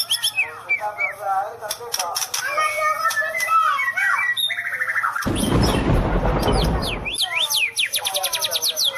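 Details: White-rumped shama giving its 'sambaran listrik' (electric strike) song: varied clear whistled phrases and slurred notes. A loud broad rushing burst covers the middle, then sharp rapid high rattles follow.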